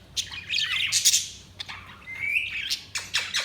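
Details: Budgerigars chirping, with bright buzzy chatter and a rising whistled note in the middle, scattered squawky bursts and a faint low hum underneath.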